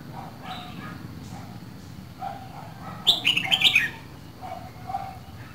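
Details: Red-whiskered bulbul, a Dak Lak bird kept for two seasons, offers quiet scattered chirps before one strong, fast string of clear whistled notes midway, then soft calls resume against a low hum.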